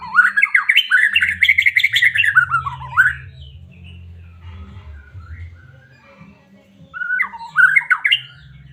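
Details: White-rumped shama from Medan, a song used to stir a caged bird into singing: loud rising and falling whistled phrases between one and four kilohertz for three seconds, a pause, then a shorter burst, over low hum.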